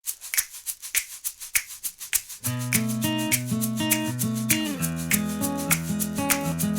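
Shaken rattle beats lead into a plucked, tuneful instrumental melody, with no animal voices at all.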